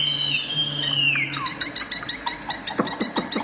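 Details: Mirror-facing tame Chinese hwamei, sung up by its reflection since no rival is at home: a drawn-out whistle gliding downward, followed by quick scattered chirps and clicks, low hum underneath.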